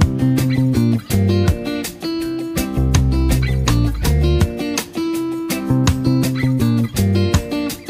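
Strummed and plucked acoustic guitar music plays throughout, with no animal sound heard.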